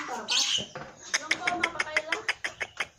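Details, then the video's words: Javan pied starling, 'gacor full isian' song: a squealing, high phrase, then a regular series of crisp ticking clicks, about five per second. "Suara burung jalak putih gacor full isian"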